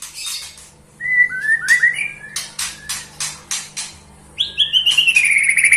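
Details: White-rumped shama singing sweetly: sharp high notes, a run of rising whistled slurs, a series of regular pulsed notes, then a long descending whistled trill.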